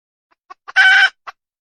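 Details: Short burst from a red junglefowl hen: two quick clucks, a loud grating squawk, and one final cluck.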